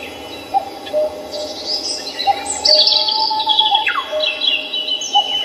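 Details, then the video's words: Songbirds at Samcheong Park in Seoul: a lively tangle of high twitters and a falling whistle, with short lower notes recurring underneath. "The song of birds starts at Samcheong Park in Seoul today."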